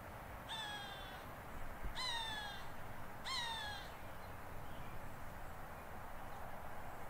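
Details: Upset hawk reacting to buzzards that have moved in: three loud, hoarse, descending screams, evenly spaced about 1.4 seconds apart, each slurring downward with layered overtones, against steady low background rumble.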